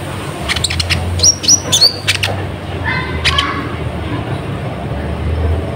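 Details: Oriental magpie-robin lure song used to attract wild birds: a few sharp whistled notes and short chirps, with slurred high whistles, over low background rumble.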